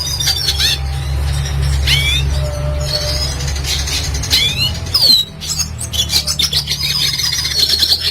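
A Red siskin gives a fast, high twittering song of rising and falling buzzy notes and sweeps, over a steady low hum.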